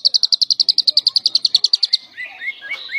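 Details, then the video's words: Lovebird singing in a semi-konslet style, used to tutor other lovebirds: a fast, even series of high buzzy chirps, about nine per second for two seconds, then softer falling twitters. "Burung Lovebird semi konslet gacor cocok banget buat masteran semua burung Lovebird"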